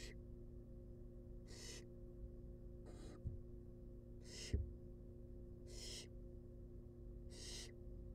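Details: Wild barn owl chicks calling for food at a monitored nest box, six to seven rasping hiss bursts over eight seconds, some brief and some longer, with two sharp clicks and low hum.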